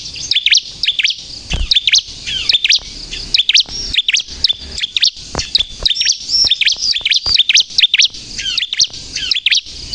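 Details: Lively song of a bar-winged prinia, played to lure and provoke trapped or captive birds into singing: ten seconds of dense, high-pitched chirps and sliding whistled notes in rapid, irregular runs, with faint low thumps.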